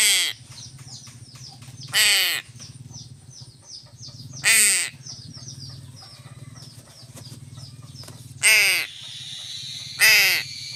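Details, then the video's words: Crow calling while being fed fish: four loud harsh caws spaced about two seconds apart, each a short burst with many stacked overtones, over a steady low hum and faint high chirping from small birds. "BURUNG GAGAK"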